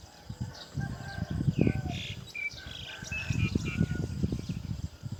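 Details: Roller chick fed black crickets by its mother; short, high chirps and squeaky notes repeat over loud, low thumping and rustling sounds.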